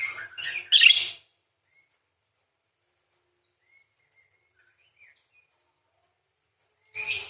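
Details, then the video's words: Parakeet in full song with rolling 'crecet' chatter: a cluster of three rasping, buzzy chirps in the first second, then near silence with faint distant tones, and another harsh chirp burst at the end. "PARKIT GACOR !! full materi nembak panjang beset crecet roll basic dasar murai // parakeet bird call"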